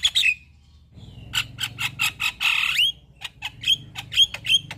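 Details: Jalak kebo mata putih singing gacor full isian while nodding: a few clear whistles, a steady series of short buzzy notes with a rising rasp, then sharp chirps ending in whistled flicks.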